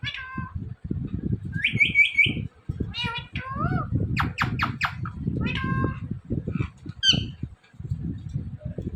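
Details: Talking Indian ringneck parrot indoors, producing a series of quick, shrill, word-like syllables and a mewing imitation, some sliding up and down, set against continuous low-pitched rumble.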